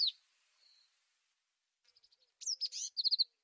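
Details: Tit giving a scattered mix of thin high notes and soft ticks, building to a louder burst of varied whistles and ending in a short run of rapid, even notes. The background is quiet.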